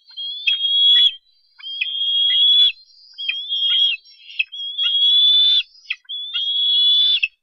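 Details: Bald eagle eaglet at the Harrison Bay nest, 10 July 2015, begging as a parent lands with a fish: five loud, level whistled squees each about a second long, ending in a quick downward flick, evenly repeated.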